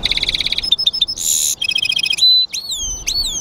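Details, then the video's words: Mule of European goldfinch and canary singing energetically: rapid rattling trills, a short harsh buzz, steady whistled tones and downward-swooping notes in close succession, with little background noise. "European Goldfinch mule singing"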